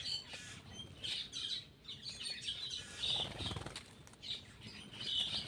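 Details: Black-winged myna feeding, giving harsh, scratchy chatters and squeaky notes in uneven bursts about every two seconds, over rustling background noise.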